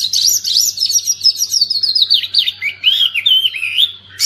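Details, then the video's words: Oriental magpie-robin song that starts with a high, tumbling jumble of twitters. It settles into looping whistled slurs that dip and rise, over a faint low hum. "Kacer pasti nyamber dan gacor klo dengar ini"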